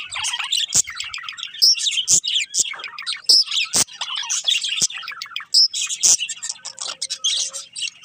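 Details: Breeding pair of budgerigars warbling a continuous busy chatter of high twittering chirps and clicks, with scattered sharp clicks throughout.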